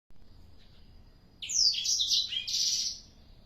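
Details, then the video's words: Black-throated canary, four months old, singing vigorously: after a quiet start, a burst of about one and a half seconds of rapid, high, twittering notes with quick sweeps and trills. "blacksthroat umur 4 bln gaes udh gacorr abiss"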